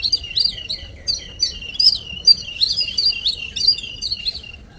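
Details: Morning visitors: little birds chirping in a fast, lively stream of high sharp tweets and short twitters, several notes each second, with no other clear sounds.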